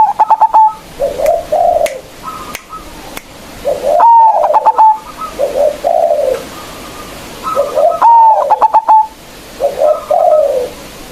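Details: Zebra dove song used as a lure to rouse rivals: three loud stuttered phrases, about every four seconds, each a ringing note and rapid pulses, separated by quieter low, wavering coos.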